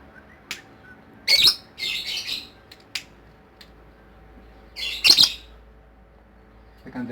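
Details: Lovebird ngekek singing, heard as loud, harsh, buzzy squawk bursts in two clusters a few seconds apart, with sharp clicks and near silence between them.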